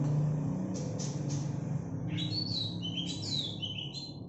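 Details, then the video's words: Young greater green leafbird, local bird from Alas Purwo, Banyuwangi, with the 'bebeci' notes typical of the region, giving a run of quick, varied high whistles and chirps over a steady low droning hum. "BEBECI..! PENGIRING LAGU CUCAK IJO ALAS PURWO BANYUWANGI"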